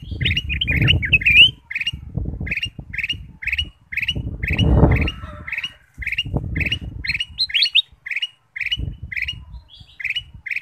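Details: Ruby-throated bulbul song used as a lure to get other birds singing: short bright chirped notes repeated about twice a second, with a brief warbled run early on and low rumbling background noise throughout.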